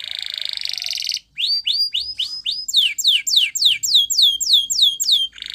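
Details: Spanish Timbrado canary in a training song: a dense buzzy roll, a brief break, then repeated swooping whistles, about three or four per second, rising in pitch into sharper falling notes.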